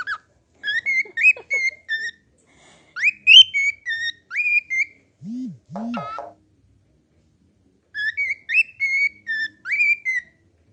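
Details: A cockatiel whistles a learned tune, the hymn "Abençoe Senhor", in clear, bouncing phrases of rising and falling notes.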